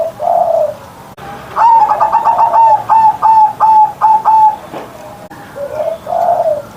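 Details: Caged zebra dove in Indonesia singing in the morning with a big, deep voice: a soft opening coo, then a run of about ten rapid rolling coo notes, followed by a low trailing coo.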